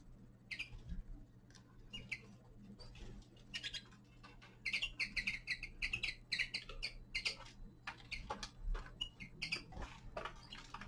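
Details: Winter song of a young male common linnet: scattered chirps at first, then a lively run of rapid twittering, clipped notes for about three seconds, with a few later chirps, over a constant low electrical hum.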